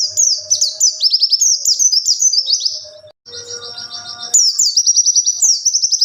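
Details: White-eye singing in the wild, a song meant to attract and train young white-eyes: steady, quick, high-pitched warbled twitters, a brief softer stretch with a faint lower hum, then lively twittering again.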